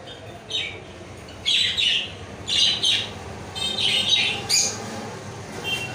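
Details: Lovebird chirping and squawking in repeated short shrill bursts, several in quick clusters over six seconds, against a steady hiss of background noise.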